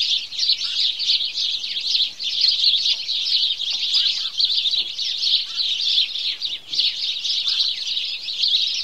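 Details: Many house sparrows chirp together in their morning chorus, an unbroken wall of quick, sharp tweets with small rises and falls in loudness.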